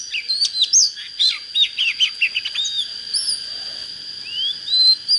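Oriental magpie-robin singing a varied run of clear whistles, quick chirps and sliding notes, with a steady high whine in the background.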